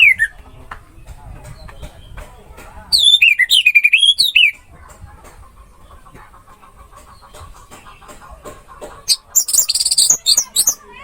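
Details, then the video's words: Orange-headed thrush (anis merah) masteran track: a phrase of loud looping whistles, a long quieter stretch with faint ticking and a low hum, then a burst of high, rapid squeaky notes. "MP 3 MASTERAN ANIS MERAH MACET BUNYI"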